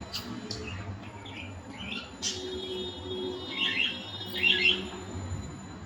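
A cockatiel gives short, high chirps and a few scratchy, warbled notes at uneven intervals.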